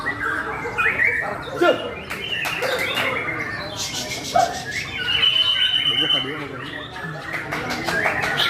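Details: White-rumped shama singing energetically, stringing quick chattering phrases, buzzy trills and bright whistles together without pause, with a steady low hum and murmuring voices underneath.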